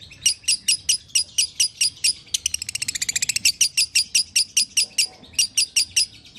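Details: Lovebird chirps played so a kept lovebird will call again: piercing repeated high notes about three per second, interrupted midway by a fast stuttering burst of trilled notes.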